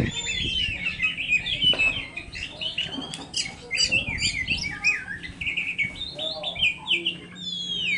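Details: Oriental magpie-robin song played as a training recording for caged songbirds: a dense, rapid run of varied whistles, chirps and sweeping notes with overlapping voices, a steady low hum beneath and a few thumps.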